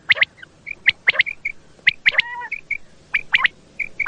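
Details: Common quail at night, a lure recording for quail hunting: dense run of sharp clipped high notes, often in quick pairs and triplets, with brief whistled tones between and one low nasal note.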